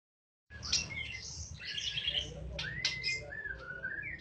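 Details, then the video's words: White-rumped shama, a young bird eight days out of the nest, singing a rapid varied song of whistled notes, sharp chips and rising and falling slurred phrases with no pauses, over low background hum. "Suara Burung Murai Batu Balak 8 harian wikplong"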